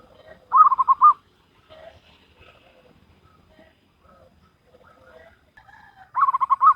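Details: Local wild-type zebra dove singing in the Salendro rhythm style: two bursts of rapid, rolling cooing notes, one at the start and one at the end, separated by a long quiet stretch with faint scattered sounds.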